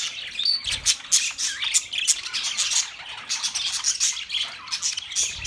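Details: Budgies in full chatter for lonely birds: thick, high, scratchy warbling with rapid clicks and short squeaky notes running without a break, a faint low bump now and then.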